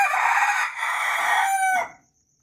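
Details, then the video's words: Crowing Ayam Ketawa rooster, the laughing chicken breed: one loud, hoarse, sustained note lasting nearly two seconds with a brief dip midway, ending in a short falling tail; afterwards a thin high electronic whine remains. "Ayam ketawa berkokok || Laughing chicken"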